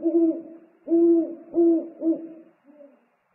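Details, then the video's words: Father owl bringing food to the nest on 3 March 2019, the pair in dialogue: four loud, drawn-out low hoots with a wavering upper tone, followed by one soft, fading note. "ūpju paps atnes ņammu,dialogs"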